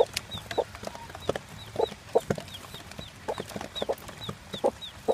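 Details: One-day-old chick beside its mother hen, mostly Plymouth Barred Rock, with a Barred Cochin father: soft high peeps recur about twice a second alongside deeper hen clucks and scratching taps.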